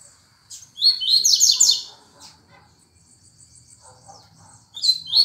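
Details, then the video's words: Double-collared seedeater singing the fast tuituí song style: a burst of rapid, buzzy, high descending slurs, then softer scattered notes over a thin steady high tone, ending in another bright buzzy phrase. "Tuituí rapido"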